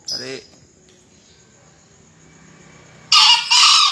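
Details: A brief voiced sound opens, then a quiet pause, before a green junglefowl gives a loud two-part crow, harsh and hoarse, at the end; crowing contest recording from 2020.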